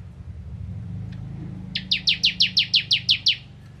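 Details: Low rumbling background noise, then a bar-winged prinia (ciblek kristal) breaks in with a quick 'nembak ngentrok' volley of nine loud, sharp, descending chip notes.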